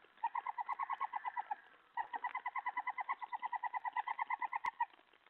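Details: Owl at night, 3:10 AM on 31 July 2017, while a mouse is brought in during the twelfth of sixteen food deliveries that night; fast pulsed chattering notes, about nine per second, in two bursts broken by a short pause.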